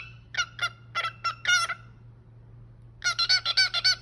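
A cockatiel sings in quick bursts of bright, warbling whistled notes with a brief pause between phrases.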